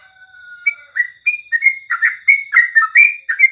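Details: Yellow-vented bulbul (crucukan) singing at morning time, recorded for tutoring other birds: a long low level whistle opens, then rapid chattering phrases of bright slurred notes repeat about every third of a second.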